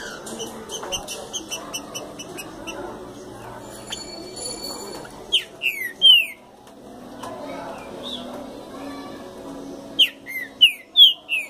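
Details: Green-winged saltator coming out of moult, singing short loud slurred whistled phrases of falling notes in two bursts. Between the bursts are quieter background chirps and a steady hum.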